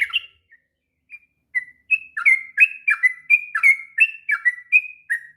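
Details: Sooty-headed bulbul starting its long ngropel song, a training master for raw bulbuls: a few isolated whistles after a pause, then a lively run of warbling, rising and falling liquid notes.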